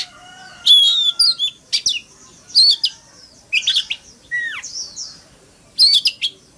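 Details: Fighting song from an Oriental magpie-robin: a low steady whistle at first, then spaced high scratchy phrases and a downslurred whistle.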